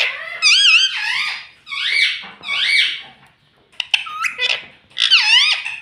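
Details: Talking parrot kept as a pet, said to speak mummy, papa and mitthu, delivers a chain of loud, buzzy, harmonic mimicked syllables with bending pitch, grouped in four or five bursts with short pauses.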